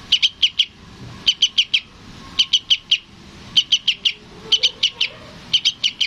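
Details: A sooty-headed bulbul chick calls to its parent with regular groups of three or four crisp, high chirps roughly every second, clear against a soft background.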